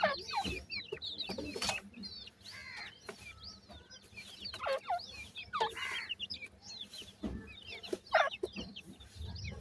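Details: Feeding francolin (teetar) chicks give a busy mix of high, sharply falling cheeps and short twitters. Occasional louder chirps and soft thuds break through the chatter.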